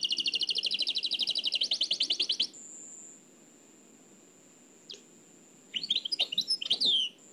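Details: Oued El Alleug style nightingale song copied from an old cassette: a rapid trill, then a long steady high whistle with near silence, ending in sharp chirping phrases.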